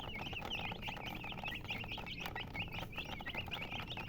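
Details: Many baby chicks peeping at once, bright high chirps, each a quick up-and-down note, repeated several times a second in a busy, unbroken flock chorus.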